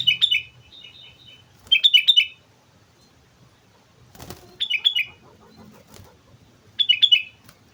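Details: Sooty-headed bulbul from Mount Slamet repeating short, cheerful phrases of fast down-slurred whistles, four bursts in all, with a sharp knock mid-way and soft chirps between.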